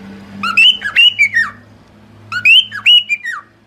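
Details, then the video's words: Cockatiel singing, used for song training: a clear whistled phrase of four or five rising then falling notes, given twice with a pause between, over a steady low electrical hum. "Aprenda Como Ensinar a Calopsita a Cantar"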